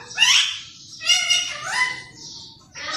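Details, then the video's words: Pet green parrot talking like humans: three harsh, harmonic, speech-like phrases with a fast falling squawk, separated by short pauses, in a quiet setting. "طوطے کی خوبصورت بولیاں"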